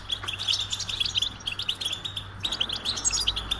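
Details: Goldfinch song of quick, liquid twitters and chirps strung closely together, high-pitched and lively, pausing briefly midway before resuming, with a faint low hum beneath.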